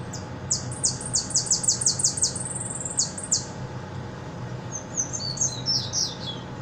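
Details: Hooded siskin, a caller bird from Buenos Aires, singing repique: a fast burst of shrill downward-sweeping notes that slows and fades, followed by softer, lower twittering phrases.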